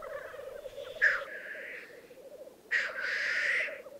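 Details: Black grouse lekking in the Piedmont Alps, Italy, 2022: low continuous bubbling beneath two long, loud hissing sneezes, one about a second in and another near three seconds.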